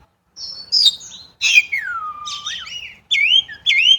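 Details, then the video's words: Chinese blackbird singing varied phrases: bright chirps, a long descending slurred whistle, scratchy warbles, and two closing upslurred whistles. "烏鶇(黑鶇)的叫聲/Sound of Chinese Blackbird"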